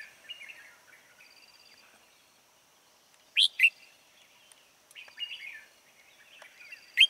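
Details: Lure red-whiskered bulbul singing during a late-afternoon trapping session on 16 March 2020, giving loud sharp chirped notes and rich warbled phrases in separate bursts, with a thin continuous high buzz behind.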